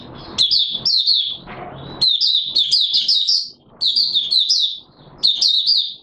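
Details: Oriental white-eye kept as a cagebird, singing 'buka sing' on 24 March 2022. Four bursts of fast, thin, twittering notes pour out between brief gaps of low rustling noise.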